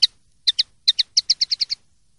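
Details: Common linnet, clean 'limpio' song from a 2023/2024 silvestrismo CD: scattered high chirps that tighten into a quick run of about six evenly spaced twittering notes before falling silent.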